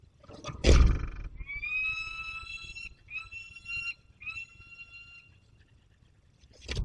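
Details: Peregrine falcon returning from hunting in the Barycz Valley, Poland, on 27 August 2022: three long, drawn-out harmonic wails, each one to two seconds, after a sharp loud knock; another knock closes the clip.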